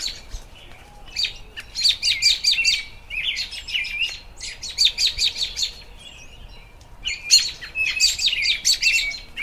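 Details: American robin in spring delivering three bursts of rapid, high, chirping notes separated by short pauses, each burst a quick series of sharp tweets, set against faint outdoor ambience.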